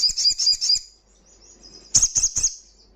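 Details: Crimson sunbird singing loudly in ngalas style to stimulate breeding condition and aggression in other birds; a short run of high, sweet notes, then a pause and three sharp, ringing high notes.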